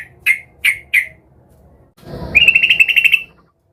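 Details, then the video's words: Agitated sooty-headed bulbul seeking a rival: three sharp chirps, a brief silence, then a fast bubbling trill of rapid repeated notes. "Trucukan gacor EMOSI Mencari Lawan"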